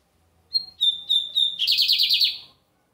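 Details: A lined seedeater sings on a Sunday. Its phrase opens with a thin whistle, then a run of level piercing notes, and ends in a loud buzzy trill of rapid repeated pulses. The background is clean and quiet.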